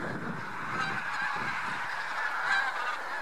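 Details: Spring migration flock of Bean Geese mixed with White-fronted Geese, Central Poland, 3–4 March 2018: thick continuous cackling and honking from many geese, with a slightly louder honk near the end.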